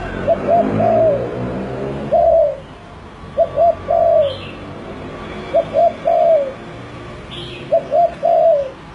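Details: Spotted dove singing a steady series of phrases, each a quick double coo followed by a longer falling coo, repeated roughly every two seconds, with faint higher chirps in the background.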